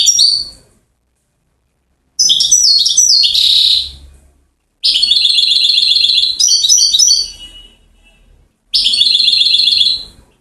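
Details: Singing European goldfinch from Settat, Morocco, known for its trill series: separate bursts of sweet, high twittering, including a steady buzzy rattle of fast repeated notes, with pauses of a second or two between phrases.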